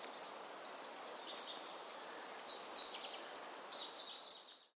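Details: Tristram's bunting (Emberiza tristrami) in Pingtung County, Taiwan, 15 November 2019, gives sharp, very high, thin ticking notes, spaced irregularly about a second apart, over soft twittering of other birds and a steady outdoor hiss.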